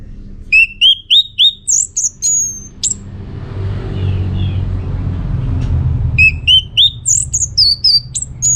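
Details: Energetic song of an orange-headed thrush, North Bali, used to prompt answering birds: a run of evenly repeated rising whistles, about three per second, with higher flourishes, a lull of low rumble, then the run resumes.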